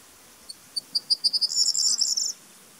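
Corn bunting song: a few high ticks that speed up, then a dry, jangling rattle like shaken keys, all over in under two seconds.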